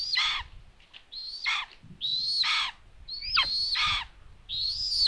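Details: Adult common buzzard at a nest in Tiszalök, Hungary, June 21, 2022, delivering food to an unexpectedly empty nest. Five strained, descending mewing calls, each falling steeply, come roughly once per second, with faint low rumble between them.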